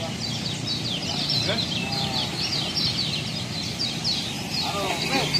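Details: Lombok kecial singing in a recording made for training other songbirds: a continuous, fast, high twittering chatter of short sliding notes, with a few lower squeaky calls from other birds and a steady background hum.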